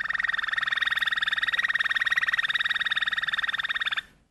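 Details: Malinois canary sings a single rolling tour: a fast, even, bell-like trill of about fifteen notes a second, mid-pitched, held steady for four seconds before stopping.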